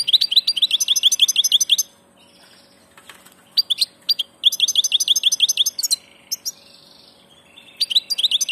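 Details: European goldfinch on passage singing repeated phrases of fast tinkling chirps, each run about two seconds, with a buzzy trilled note and gaps between bursts.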